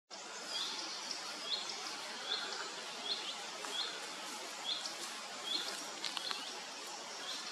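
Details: Common redstart at RSPB Gwenffrwd-Dinas reserve, a short rising whistled note repeated roughly every second, with faint clicking notes and steady background hiss.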